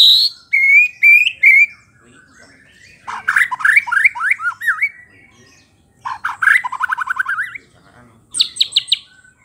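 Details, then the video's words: White-rumped shama (murai batu) singing to provoke rival shamas: bursts of loud, varied song, with sweet upslurred whistles, then a rapid run of rising slurred notes, another trilled sequence, and a final buzzy high flourish, separated by short pauses. "murai batu gacor pancing emosi lawan"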